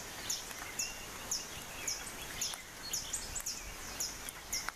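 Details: Black-headed tody-flycatcher near Arenal Lake, Costa Rica: thin, very high, sharp chip notes repeated about twice a second in a steady series over constant background hiss and insect-like noise.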